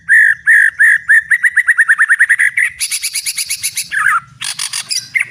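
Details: White-rumped shama singing at full volume, described as a fierce fighter: rapid repeated chirps that speed into a trill, then harsh high rasping notes and a descending slurred whistle.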